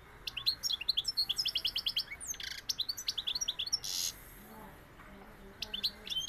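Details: Sevillian European goldfinch delivering fast, bright, liquid twitters and repeated high chirping notes in a steady run, broken by brief noisy rustling bursts.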